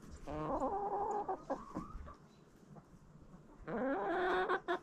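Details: Backyard chickens eating a Halloween jack-o'-lantern pumpkin; loud harmonic drawn-out cackling calls at the start and again near the end, with quieter pecking and murmurs between.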